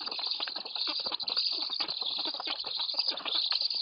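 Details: At a nest in Lodz, Poland, black stork chicks beg while being fed on the morning of 29 July 2018. Their dense scratchy rasping runs without a break, swelling and dipping in choppy bursts.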